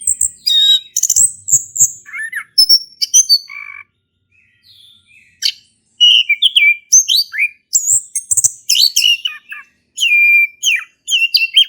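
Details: Long ngeplong-style song of a male orange-headed thrush, used to encourage another thrush to sing: bursts of varied high chirps, whistles and slurred notes separated by two clear pauses.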